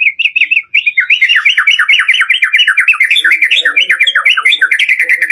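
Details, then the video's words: White-rumped shama singing a 'door' lure song, full variation, used to stir lazy pet birds into song: a brief phrase, then a loud, fast, unbroken sequence of slurred whistled notes swinging up and down. "SUARA PANCINGAN BURUNG MURAI BATU DOOR FULL VARIASI"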